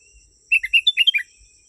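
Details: Genuine sooty-headed bulbul recording used to lure wild birds: one lively, gurgling whistled phrase of seven or eight notes jumping up and down in pitch, delivered briskly, with a steady shrill insect drone in the background.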